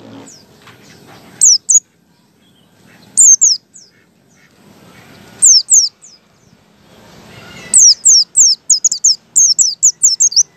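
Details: White-eye singing ngalas style as a lure for other white-eyes: short pairs of high, falling whistles at first, building to a fast rattling series of sharp notes near the end, with low background noise between bursts.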